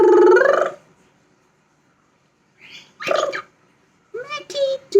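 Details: Talking pet parrot giving short voice-like syllables: an opening rising squawk-word, a pause, a brief nasal burst, then several clipped speech-like notes with steady tones near the end.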